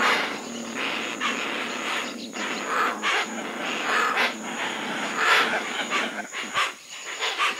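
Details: Hoatzin calling with rough, wheezy, breathy rasps scattered irregularly over a continuous noisy background hiss, with a thin steady high tone running throughout.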